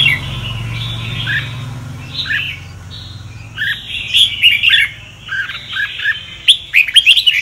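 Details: Sông Kon Red-whiskered bulbul singing, used as a training voice for kept birds; lilting whistled phrases with down-slurred notes, growing busier toward the end with quick chirps.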